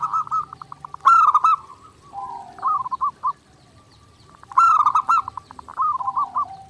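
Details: Non-stop zebra dove song for daily training: stuttered cooing, two bright accented bursts about three and a half seconds apart, each followed by softer descending broken notes.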